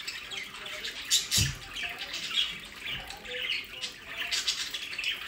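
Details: Pet budgerigars in their aviary play area, South Holland, Netherlands, produce a dense, warbling chatter of scratchy squawks. There is a brief low knock partway through.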